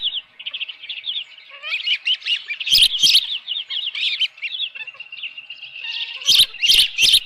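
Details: Osprey on the nest with a live fish, 24 June 2018 at 7:32 AM: steady, rapid high whistles, about two or three per second, with louder bursts and clattering knocks near the end.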